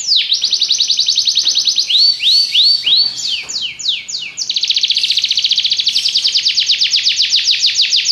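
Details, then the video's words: Belgian canary performing fast high trills, a string of looping up-and-down whistled notes, sharp descending slurs, then a long rapid rolling trill at high pitch. "espetacular canto canário belga"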